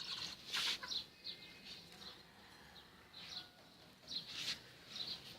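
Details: Captive zebra finches (Taeniopygia guttata) fighting in a home setup: aggressive squabbling, with short high nasal calls and bursts of fluttering wings.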